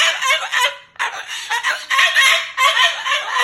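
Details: Moluccan cockatoo, upset at its owner sleeping over, cursing loudly: rapid, gravelly, speech-like syllables, with one short break near the first second.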